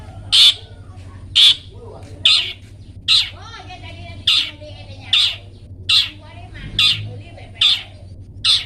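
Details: Training recording of a long-tailed shrike in 'toet toet' style for pet birds: harsh, buzzy blasts repeated roughly every second in a fairly steady series, with soft twittering and a low electrical hum behind.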